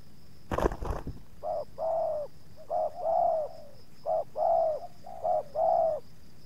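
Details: Spotted dove (tekukur) at a decoy-luring site where two wild doves approach the captive bird; the second wild dove puts up some resistance. A sharp knock opens, then four clear, mellow coo phrases, each a short note followed by a longer drawn-out coo.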